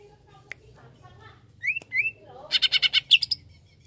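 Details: Greater green leafbird song intended to provoke a listening leafbird. A few scattered clicks lead to two rising whistles, then a quick series of harsh chattering notes and a high whistled flourish.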